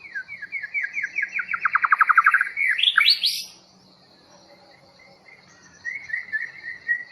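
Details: White-rumped Shama, long-tailed Bahorok type, freshly brought in from the forest, singing a loud rapid run of about a dozen downslurred notes that speeds up and falls lower, a rising flourish, a pause, then softer whistled notes.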